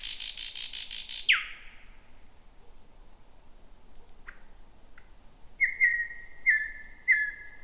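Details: First thrush nightingale of 2026, singing at night shortly before midnight in dense bushy thicket near the Roadyfield area; a buzzy burst, then a falling slur, then steady paired whistles with high thin notes above.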